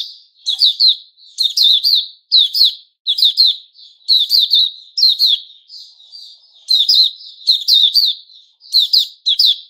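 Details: White-rumped shama, locally puteh raja, 29 August 2021, repeating loud chattering phrases of high, steeply falling chirps about every second, with soft connecting notes between bursts.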